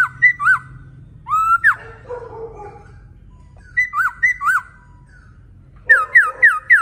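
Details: Male laughingthrush singing vigorously: pairs of loud whistled notes that rise then drop, a quick upward slide, lower warbling, then four rapid descending whistles. A steady low hum runs beneath.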